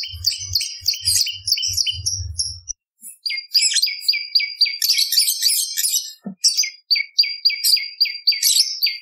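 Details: Bar-winged prinia song, recorded as training material for songbirds: long runs of fast repeated high chirps, about four per second, with a brief pause, over soft low rhythmic thumping at the start.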